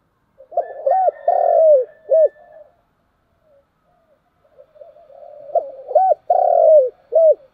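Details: Spotted dove calling in the morning: two phrases a few seconds apart, each opening with short soft hoots, then a longer rolling coo and a clipped final note, mellow and low, with quiet pauses between.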